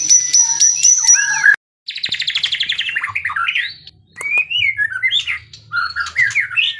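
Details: Provocative kretekan song of a white-rumped shama for training: high piping notes and a descending whistle, a brief break, then a fast crackling rattle sliding downward and a run of swooping, warbled whistles over a faint low drone.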